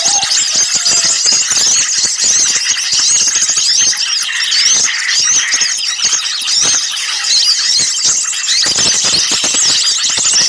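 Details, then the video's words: Continuous clamor of small birds used to lure birds for trapping; rapid high zigzag chirps and trills crowd together, with a low whistled note at the very start. "suara pikat burung kecil ribut"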